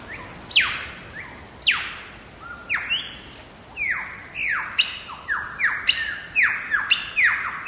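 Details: Wild lyrebird singing in Megalong Valley, Blue Mountains, Australia: a loud run of ringing whistles, each sweeping sharply down from high pitch, repeated about every second with varied shapes, some short rising notes between; quiet background.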